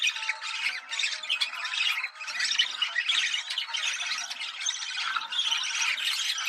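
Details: Breeding-stimulation chatter of budgerigars, a steady buzzy warble of rapid chirps and scratchy squawks running the whole time with one brief drop near two seconds.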